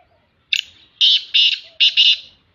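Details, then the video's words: Female black francolin calling in the morning in a happy mood, a harsh, grating run of five rasping notes with the middle ones longer and buzzier, over a quiet background. "black Francolin Voice Kaly Teetarcalling Partridgevoice"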